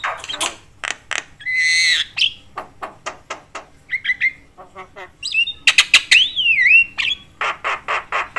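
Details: Talkative Javan myna said to provoke all kinds of mynas. Sharp clicks mix with a drawn-out buzzy rasp, short nasal notes and a wavering whistle, then rapid harsh bursts close the passage.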